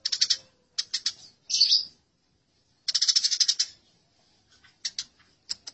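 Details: Eurasian tree sparrows fighting, recorded for songbird training: harsh, rapid chattering bursts of high, dry notes in several short runs separated by brief silences.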